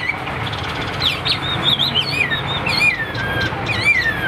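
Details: A caged Hwamei sings while displaying for a fight, with wavering and descending whistles over a steady background hum, softer and more tangled than a clean solo.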